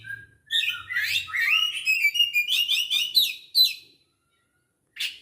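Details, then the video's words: Oriental magpie-robin of the Aceh type, recorded 24 December 2022, sings a rich run of varied whistled and warbled notes, rising and falling quickly for about three and a half seconds, then pauses before a brief final note. "Burung Kacer Aceh"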